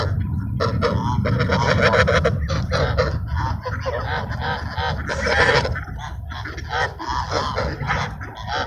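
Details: Ducks being fed at sunset in a park, a dense flock giving harsh honking and quacking calls in rapid overlapping bursts throughout, with low rumbling background noise.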